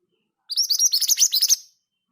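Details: Rolling ngerol song of a kept Scarlet minivet, known as mantenan gunung: around ten sharp, high whistled notes delivered in rapid succession across one second, slightly fuller and rougher-toned, with silence before and after.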